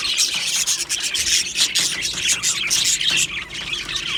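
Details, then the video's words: Happy Australian budgies chattering in an aviary colony: dense, rasping high twitters and squeals pour out continuously, slightly quieter in the last second. "Australian Budgie birds Chirping Sounds"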